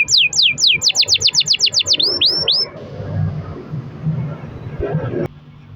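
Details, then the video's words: Canary in a long-roll song recording used as a lure to make other canaries sing: rapid series of high, descending whistled sweeps repeated about four per second for under three seconds, then low rumbling background noise. "kenari gacor ROL PANJANG buat pancingan kenari agar bunyi"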